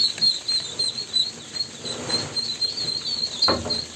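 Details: Several ducklings peeping nonstop in shrill, wavering whistles that blur into one continuous high thread, with soft rustling and a sharp knock near the end.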